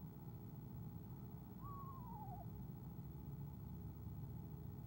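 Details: Eastern screech-owl on an owl cam giving a soft trill as its mate arrives, 17 February 2015; a single wavering, quavering trill that slides gently downward, lasting under a second, over steady low background hum.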